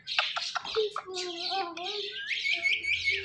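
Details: Speech-like chatter from an Indian ringneck parrot, mixing breathy, noisy syllables with steady voiced tones. It flows almost without pause and ends in a higher, brighter phrase.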